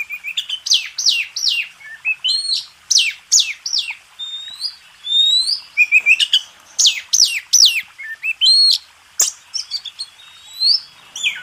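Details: Oriental magpie-robin (kacer) master song of contest standard: series of bright, downward-slurred whistles repeated in quick runs, mixed with thin upslurred notes and sharp clicks between brief gaps.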